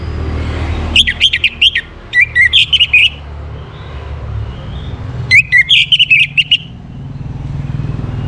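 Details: Morning song of an Orange-headed thrush, used to stimulate breeding condition in kept birds: three separate bursts of quick, chattering whistled notes with short gaps between them, over a steady low rumble.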